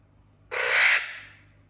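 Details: A parrot living in a house with other parrots and exotic animals makes a funny sound while the other parrots listen: one harsh, noisy squawk lasting about half a second, then quiet.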